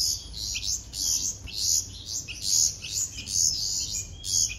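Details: Baby bulbuls hand-fed by a person, uttering hoarse, high begging squeals roughly once a second, uneven in rhythm, with a brief faint whistle near the end.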